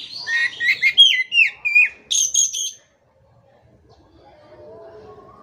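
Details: Energetic Oriental magpie-robin (kacer) song used to coax non-singing birds to answer: a quick run of whistled downslurred notes and bright high chips lasting under three seconds, followed by near silence.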